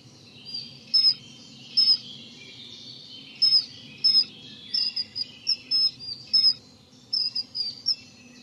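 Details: Common kingfisher (Alcedo atthis) on the Dřevnice river, 19 April 2019, giving shrill, thin, piercing whistles, single or in quick pairs, at an uneven pace of roughly one every second, over a low steady rumble.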